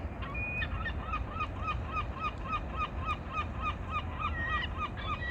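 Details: Water birds calling: a quick series of short, nasal honking notes repeated about three to four times a second, with a few higher whistled notes near the end, over steady rushing background noise.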